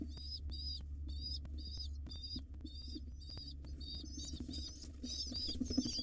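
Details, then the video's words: Wild pigeon nestlings in a monitored nest box beg as the mother feeds them, a steady series of high squealing notes, some bending upward, becoming denser and louder toward the end, over low hum. "Pigeon Mom feeds her hungry nestlings for 13 minutes!"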